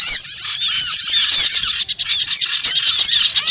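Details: Lure sound used to trap small birds, with a thick chorus of sharp squeaks and curving whistled notes tumbling over each other, high-pitched and unbroken, dipping briefly midway.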